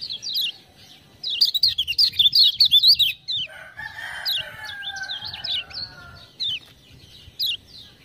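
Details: Singing hard after ciak-ciak prompting sounds, a Lemon-bellied white-eye from Lombok kept as a tutor bird. Brief high notes lead into a loud two-second run of rapid twittering, then a softer buzzy lower stretch and sparse chirps.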